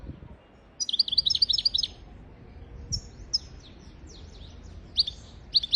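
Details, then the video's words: Tutor song of a European goldfinch for training young goldfinches and canaries: a fast tinkling twitter, then high descending slurred notes and short twittered bursts, clear against a quiet background. "تغريد طائر الحسون حفاضة لتعليم طيور الحسون والكناري بدون أخطاء"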